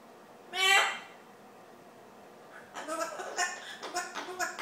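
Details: A male Amazon parrot gives one loud harmonic squawk, then after a pause a run of voice-like, tuneful mimicry singing "Old MacDonald had a farm" and repeating "hello."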